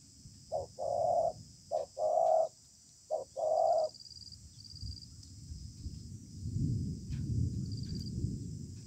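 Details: Stubborn wild spotted dove contesting under a communal house: three pairs of low hooting coos, then the calling stops and only low rumbling background noise remains.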